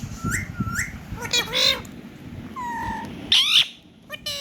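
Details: A pet rose-ringed parakeet, an Indian ringneck talking parrot, singing and dancing: short rising whistled notes, harsh buzzy bursts and a level two-toned whistle, spaced irregularly, with faint low room noise beneath.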